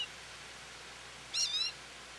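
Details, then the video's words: An American goldfinch at a feeder, calling for attention, gives a single high, sweet call, rising then dipping, lasting under half a second against a quiet hiss. "American Goldfinch Song"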